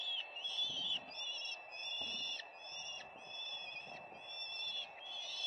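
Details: Peregrine falcons at their nest, recorded by a live nest camera on 4 May 2025: loud, harsh, drawn-out harmonic calls follow one another almost without pause over a steady background hiss.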